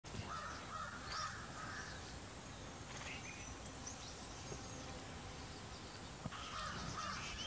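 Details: A hungry blue-bearded bee-eater sitting on stairs and catching flies gives two short bursts of harsh, croaking notes, one at the start and one near the end, over a steady background hiss.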